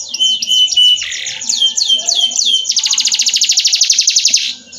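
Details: Canary song used as a training tutor for other birds: phrases of repeated down-slurred whistles, then a fast, even, buzzy trill, all loud and high-pitched, with faint low background noise.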